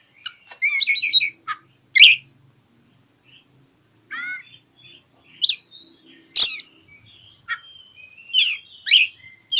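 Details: Challenging Oriental magpie-robin, its song meant to lure silent birds into song: a fast warbled opening, then spaced whistles, buzzy chips and sharp cracking notes with a faint low hum beneath.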